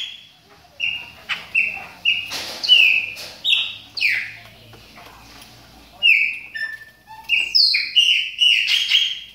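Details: Chopi blackbird in moult, warming up, delivers strong whistled calls in irregular bursts, some notes sliding downward, with a short gap mid-clip.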